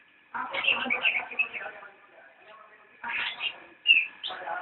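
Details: Cicak rowo, the straw-headed bulbul, singing nyinden: a dense warbling burst lasting over a second, a quiet gap, then more chattering and a bright, emphatic whistled note near the end.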